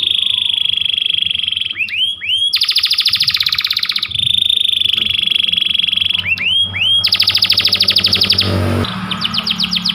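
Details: Panda canary, a white canary, singing long, persistent song for training. Sustained high rolls alternate with clusters of quick upswept notes and dense pulsed trills, over a low background hum.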